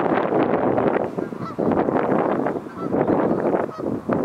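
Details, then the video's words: Geese doing a flyby and landing on the river Dee at Connah's Quay docks, windy; a flock's loud nasal honks overlap continuously in irregular bursts under buffeting wind. "Geese coming in to land"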